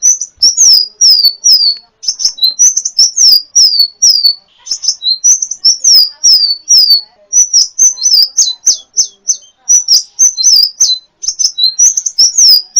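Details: Sunbird (kolibri ninja) song recorded as training material for cage birds, a continuous stream of high, slurred whistled notes falling in pitch, given in quick groups with scattered clicks.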